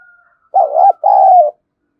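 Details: Spotted dove used as a decoy, harsh scolding thổ sấm voice meant to rile wild doves; one pair of loud hollow coos, the first wavering, the second long and sliding lower.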